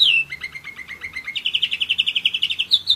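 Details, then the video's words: A one-year-old German Roller-split canary sings a quick string of short falling notes. It starts with a lower rapid series, then rises into a higher, brisk pulsing trill of about eight notes per second, ending on a sharp high note. "german roller-split canary"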